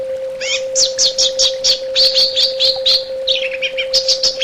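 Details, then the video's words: Orange-headed thrush singing a fast run of sharp, high, repeated chirps, about four per second, with brief pauses between groups. A continuous low hum sits in the background. "SUARA TERAPI BURUNG ANIS BATA"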